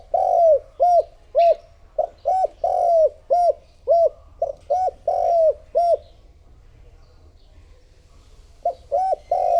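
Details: Lure spotted dove cooing to attract other doves: two long strings of deep, hollow, repeated coos with drawn-out slurred notes, a silent gap, then a new phrase begins. A faint brief higher chirp is heard.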